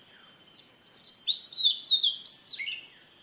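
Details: Oriental magpie-robin song, Kerala: a fast string of bright, sweeping whistled phrases that fall and rise, lasting about two seconds, against a faint background hiss.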